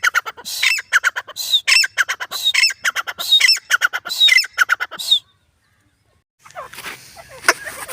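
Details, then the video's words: Grey francolin, called teetar, calling loudly: a fast series of harsh, ringing notes repeated about once a second for five seconds, then a pause and faint rustling with a brief squawk. "irani teetar ki awaz#grey Francolin"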